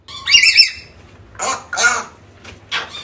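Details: African grey parrot, calls played to lure a lost bird home: a bright harmonic squawk followed by three shorter rough, noisy squawks over three seconds.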